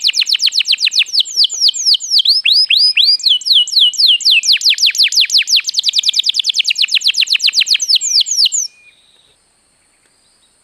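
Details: ['Canary singing as a lure to make other birds sing: sweeping slurred whistles building into a long fast trill of repeated high notes that stops abruptly, followed by near silence.']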